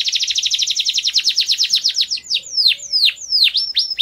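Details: Training song for young canaries, opening with a quick run of sharp repeated chirps, then slower, deep-dipping whistled downslurs in a looser rhythm.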